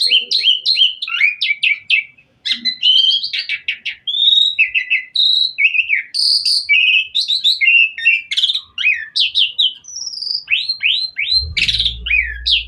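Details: Busy, continuous song of an Asian pied myna in full varied form, played to make other mynas sing along: rapid sequences of short upslurred and downslurred whistles, chirps and trills with barely a pause, and a low thump near the end.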